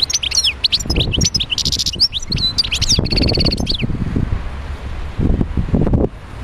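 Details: In Médéa, a wild European goldfinch gives a high, jangling twitter of quick notes and a brief buzzy trill for about four seconds, with low thumping noises underneath that continue after the song stops.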